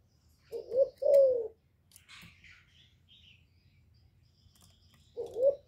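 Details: Kept spotted dove's cooing song used as a lure for other doves: a low short note followed by a drawn-out falling coo, then quiet with faint chirps before the next phrase begins.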